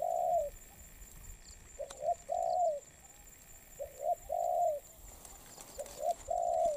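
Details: Spotted dove, wild-caught and in molt, cooing in spaced phrases: a quick double note followed by a longer falling coo, repeated three times with quiet pauses between.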